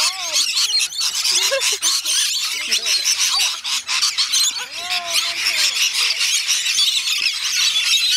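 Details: Many rainbow lorikeets at a feeding session on Magnetic Island near Townsville, Queensland, Australia, keep up a constant high, harsh screeching chorus over steady human speech.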